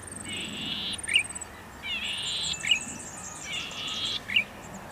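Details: Three rounds of golden-headed cisticola song, each a long flat buzz ending in one sharp liquid 'lik', about every one and a half seconds, with faint high whistles and background hiss.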